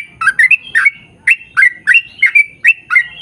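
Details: Rapid, liquid warbling of a yellow-vented bulbul in full song, intended to get birds of the same kind singing along; paired and single bubbling notes in quick succession.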